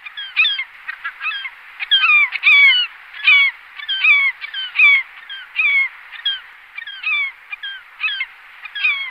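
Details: Glaucous gull giving repeated harsh, nasal calls with downward-slurring notes, delivered in short bursts a little over once a second, against a clean, quiet background.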